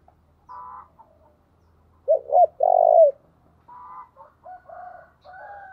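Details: Spotted dove used as a decoy caller: soft banded coos, then two short swelling notes and one long, loud, low coo, followed by more quiet, wavering coos.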